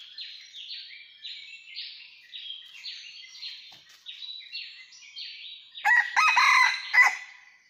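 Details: Red junglefowl crowing during junglefowl trapping in rocky mountains, 17 March 2019: a loud, harsh, multi-part crow near the end, preceded by a long run of quick repeated descending whistled notes from another bird.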